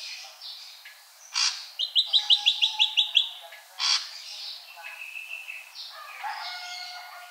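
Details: Ashy drongo giving a harsh burst, then a quick series of about eight sharp high notes, another harsh note, and softer level whistles fading out.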